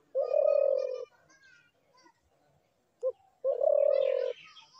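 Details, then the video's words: Spotted dove repeating its low, trilling coo twice, each preceded by a brief note, with scattered high twittering of small birds in the background. "ঘুঘু পাখির ডাক"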